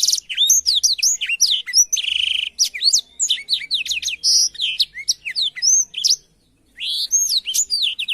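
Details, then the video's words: Blackthroat singing for canaries to copy: dense, quick-fire twittering of rising and falling whistled notes, a grating buzz at about two seconds, then a short silence before a final burst. "suara burung blackthroat untuk masteran kenari"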